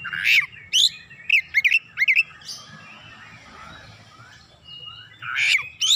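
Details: Oriental magpie-robin singing hard to stir other birds, unloading its repertoire: harsh raspy notes followed by a rapid series of short twisting whistles, a pause of hissing background, then a final loud grating burst.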